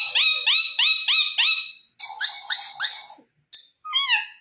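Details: Talking Indian ringneck parakeet repeats one loud, rising syllable five times in quick succession, follows with a run of chattering syllables, then gives a single falling note.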